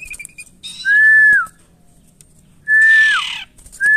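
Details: Caged Asian pied starling during taming: two long, steady mid-pitched whistles, each ending in a downward slur, with buzzy, harsh rasps between them and a third whistle starting at the end.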